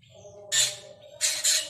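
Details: Short burst of Black drongo, the Kajalapatri: one grating squawk followed after half a second by a doubled rasping squawk, loud and noisy across a wide range, with a faint steady hum behind.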